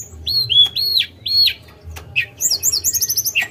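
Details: Tledekan gunung giving three arched, slurred whistles, then a rapid chattering trill of very high repeated notes that fills the last second.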